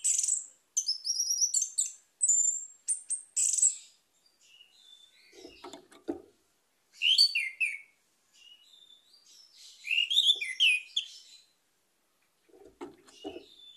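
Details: Orange-headed thrush singing as a lure for a silent caged bird. A long varied run of sharp high chirps, fast trilled notes and slurred whistled phrases, broken by pauses and a few low dull knocks.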